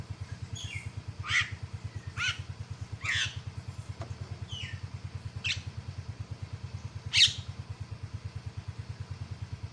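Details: Myna calls used as a lure to provoke a rival into calling angrily: scattered loud, harsh buzzy bursts and a few short whistled notes over a steady, fast-throbbing motor drone.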